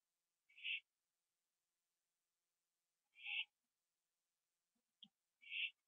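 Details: An owl at 11:15 PM, 21 September 2011, on a porch where a gopher is being eaten; three soft, raspy hissing screeches at wide, uneven intervals, plus a faint click.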